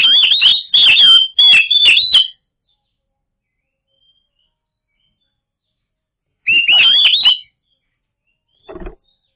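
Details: White-rumped shama song used as a lure to set silent birds singing: loud bursts of rich whistled, warbling phrases around two seconds long, a pause, another phrase near six seconds, then a brief low click at the end.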